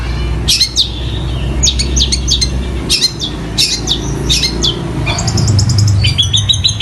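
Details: Long-tailed shrike in full song, imitating fighting sparrows and the tengkek buto kingfisher: rapid bursts of sharp, high chirps and short trills in quick uneven succession, with a steady low hum underneath.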